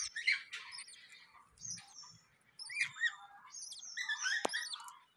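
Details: Budgerigars at a home nest with new chicks: busy warbling chatter of wavering, bubbling whistles and squeaky notes in quick succession, with one sharp click partway through.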